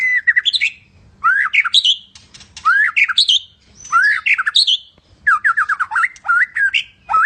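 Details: Medan white-rumped shama singing repeated phrases about once a second: rising slurred whistles with buzzy overtones, alternating with short quick note strings.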